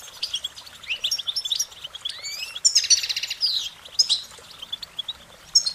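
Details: Goldfinch song mixes fast twittering notes, a long falling then rising slurred whistle, and a loud buzzy trill in the middle, before bright chirps resume.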